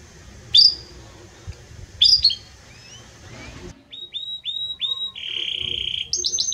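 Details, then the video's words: Belgian canary with a strong, warm voice: two sharp chirps, then soft slurred notes, leading into a sequence of clear level whistles and a fast buzzy roll that climbs higher at the end. "Canto forte e muito quente deste Espetacular Canário Belga | Canary Singing"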